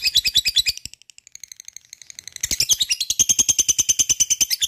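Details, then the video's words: Lovebird singing to provoke other lovebirds to answer, a long chattering ngekek: rapid buzzy pulses about three per second, harsh grating notes running on for several seconds, briefly thinning before a louder stretch. "gacor rajin ngekek panjang"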